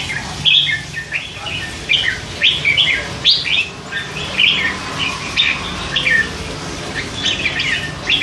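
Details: Three-month-old hand-reared red-whiskered bulbul kept in a cage, chattering with dense bursts of quick chirps and slurred whistles, phrases of one to two seconds following each other almost without pause; faint low background hum.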